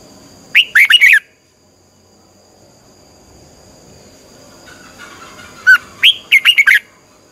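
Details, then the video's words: Red-whiskered bulbul training song in the twisting "xoắn tít" style, meant to fire up birds for morning singing: two short bursts of quick, bright whistled notes separated by about four seconds of near silence, over a faint steady electrical hum. "luyện giọng chào mào hót hay, Giọng xoắn tít -KÍCH CHIM CĂNG LỬA, Luyện chào mào hót sáng"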